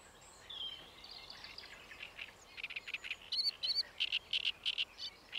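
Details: A great reed warbler at Paxton Pits Nature Reserve, 28 May 2016, starts softly, then builds into loud, harsh, clicking notes repeated about three times a second that grow stronger toward the end.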